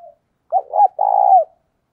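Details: Caged decoy spotted dove calling to attract wild doves. It gives one clear phrase: a quick double-note opening and then a sustained, mellow, slightly falling coo lasting about half a second, with silence around it.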